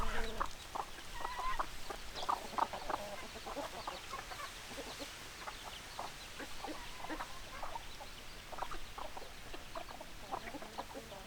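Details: Chickens keep up a busy chorus of short, throaty clucks in irregular bursts, set against a constant low rumbling background noise.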